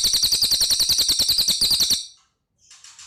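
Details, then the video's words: Loud cililin song: a two-second string of quick, sharp, high notes at an even rhythm, ending abruptly. Quieter chattering follows. "Suara Burung Cililin Gacor"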